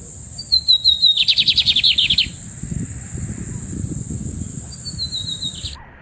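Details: Lined Seedeater, small 11 cm bird: a thin descending whistled lead-in followed by a fast buzzy trill of rapid repeated notes for about a second, then the whistled intro begins again; low rumbling background and a steady high tone.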